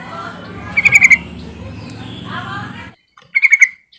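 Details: Yellow-vented bulbul calling to get other silent birds of its kind to sing: two short bubbly runs of four or five bright notes, the first over hissing noise, the second in quiet.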